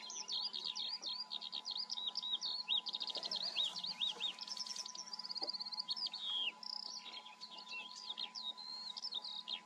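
Eurasian skylark pouring out an unbroken, high-pitched stream of rapid chirps, trills and slurred whistles for the full ten seconds, over a faint steady hum.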